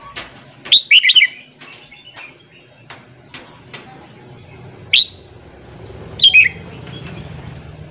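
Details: Morning voice training of a red-whiskered bulbul for freshly caught birds: a warbled phrase of several notes near the start, then two short, sharp, rising whistled phrases a second or so apart, against a low steady hum.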